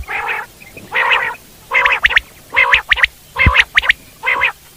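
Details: Common quail in the wild; loud, evenly spaced nasal harmonic bursts alternate with sharp, ringing three-note quail phrases about once a second.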